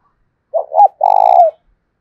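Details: Spotted dove used as a decoy, urging another male to fight with a thổ đồng style voice: a short doubled coo, then a sustained, throbbing, purring note that slides downward at its close.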